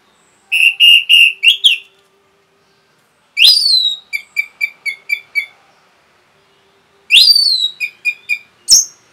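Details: Captive orange-headed thrush (Geokichla citrina) in full song, played as a therapy call to excite other birds: rapid bursts of loud, high whistled and chattering notes, repeating in quick runs with short pauses.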